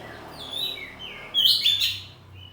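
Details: Home-kept kacer poci oriental magpie-robin in loud ngeplong song with saut-sautan answering: soft sliding whistles, then a sudden bright burst of rich, warbling notes that fades into a short high whistle.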